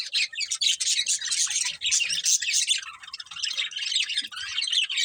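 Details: Budgerigars, a breeding pair, chattering almost without pause: dense, scratchy warbles and squeaks layered over one another, steady and busy throughout.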